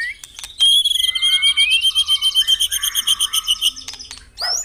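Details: Morning dewing song of white-rumped shama played to encourage caged birds: a steady series of quick whistled notes, about four each second, gently rising and falling in pitch, ending with a lone upward slur.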